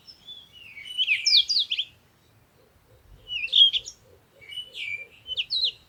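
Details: Birds chirping at morning sunrise: three lively bursts of high, rapid chirps and slurred twittering notes, with a faint, steady low ticking pulse beneath the middle part.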